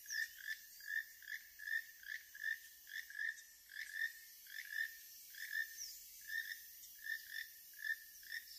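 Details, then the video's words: Keel-billed toucans, a loud pair calling from the canopy overhead in Panama: dry, croaking notes repeated in a steady rhythm, roughly one to two each second, with faint insect and bird sounds behind. "Ignore the loud ruckus coming from Keel-billed Toucans."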